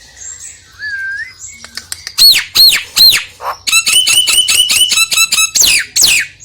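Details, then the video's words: Lure song of a Nias hill myna meant to prompt another myna to sing: a soft curving whistle and clicks, then three loud arching notes, followed by a rapid string of bright ringing notes. "PANCINGAN JALAK NIAS YANG MALAS BUNYI"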